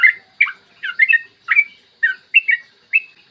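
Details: Short phrase of yellow-vented bulbul song for luring other bulbuls, recorded clear in the morning: a few loud liquid whistles and slurred double notes separated by short pauses.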